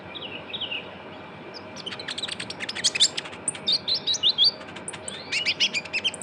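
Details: Lure recording of a young Javan white-eye. Faint high twitters open, then give way to dense, rapid, piercing chirps and short trilled notes, about fifty a minute, growing louder toward the end.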